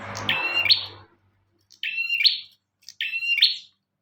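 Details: {'caption': 'Bar-winged prinia singing energetically, recorded as a master for teaching other birds: three clean, sharp chirped phrases, each a quick buzzy note sliding into a higher accented one, about one second apart, with some low noise at the start.'}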